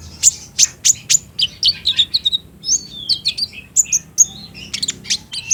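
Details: Spotted young olive-backed sunbird in captivity singing a lure song, played in the daytime to draw answers from other kept birds. Four piercing sharp notes open, followed by quick high twittered phrases and chips.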